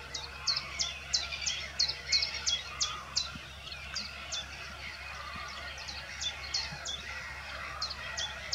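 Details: Common redshank at the Ammersee giving sharp, high piping notes, about three a second in a steady insistent run, over a low background hum.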